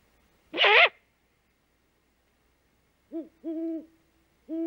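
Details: Great horned owl female making the food call at the nest at dawn, 3 March 2018, as the male hunts: a loud harsh screech, a pause, then three low hollow hoots, the second drawn out.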